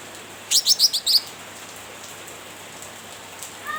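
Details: A cucak ranting calls gaily at a rival with a fast stuttering series of about five sharp, buzzy chirps, then silence, and two faint whistled notes at the end.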